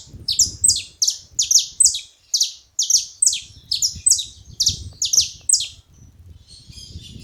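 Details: A group of saffron finches chattering together: a long string of piercing, high, slurred notes, some doubled, delivered in quick succession for about six seconds before fading, with soft low rumble beneath.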